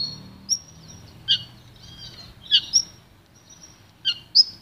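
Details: Goldfinch-canary hybrid (pintagol) in pure song for training: sparse, quick, high chirps and short trills in pairs, spaced by gaps of a second or more, with a soft low background rumble.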